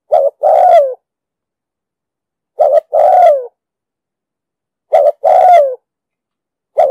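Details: Spotted dove in the 'thúc gù' style with a booming 'đồng sấm' voice, used as a trapping decoy sound: repeated phrases of a short doubled note then a long descending coo, about every 2.4 seconds, and a final phrase beginning at the end.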